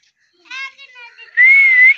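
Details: Green pet parrot making short speech-like syllables with a rich, harmonic tone, followed by one long, steady whistle that rises slightly and then falls back, indoors and with no other sounds.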